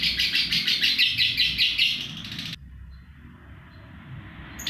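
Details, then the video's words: Lovebird giving its long ngekek trill, meant for training other birds: a rapid, buzzy series of high chirps pulsing about three times a second for two and a half seconds, then near silence. "Burung Lovebird ngekek panjang"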